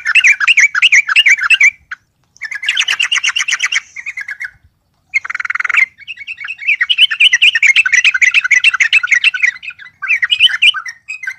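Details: Yellow-vented bulbul; song; agitated singing provoked by a rival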